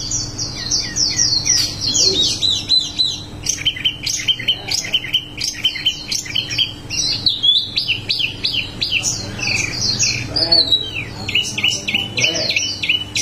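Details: Wambi delivering a long, vigorous 'ngerol' song of dense high twitters and quick repeated chirps, phrases running into each other almost without a break for over thirteen seconds.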